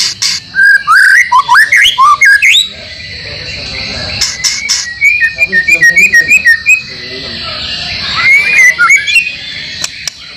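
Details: White-rumped shama (murai batu) training song for caged birds, with material from other species: varied whistled warbles and slurred notes, then a fast series of short repeated chirps, ending in rising whistles, steady high hiss behind.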